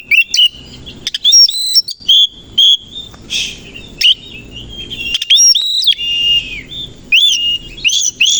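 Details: Morning song of a kacer koci, the Oriental magpie-robin, kept in a cage and fanning its tail; rich run of whistled, chirping and rising notes, delivered in quick bursts with short gaps between them.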